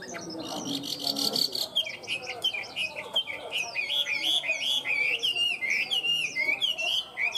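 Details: Tame Chinese hwamei, a good singer kept in a cage, delivers a fast, continuous run of bright warbled whistles that rise and fall. A buzzy trilled burst opens the phrase.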